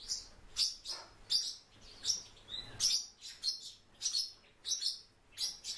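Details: Warbling white-eye kept as a cage bird, giving a series of thin, high chirps and short twittering notes, roughly every half second and somewhat irregular, over a faint low hum.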